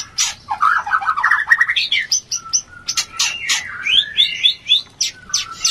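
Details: White-rumped shama singing its mating song, meant to lift a low breeding urge: rapid jumbled warbling rising in pitch, then sharp clicks and bright repeated chirping whistles.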